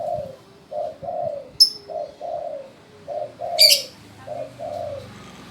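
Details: Low hollow coos from a spotted dove that sings when told, grouped in short phrases of two or three notes, with two high squeaky chirps from another bird.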